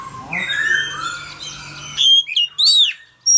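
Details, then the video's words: Male Oriental magpie-robin singing to encourage a young bird: blurred background noise at first, then several loud, clear whistled notes rising and falling near the end. "Choè than trống hót réo kích bổi mở mỏ hót theo"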